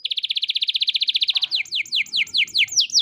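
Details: Canary singing vigorously in a unique song style: a fast, even trill of about twenty high buzzy notes in just over a second, then a run of loud whistled notes, each sweeping sharply downward, repeated about five times a second.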